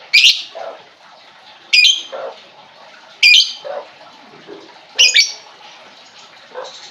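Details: Lovebird lure for a silent bird: harsh squeaky chirps every one to two seconds, each followed by a lower rasping note, over quiet chatter.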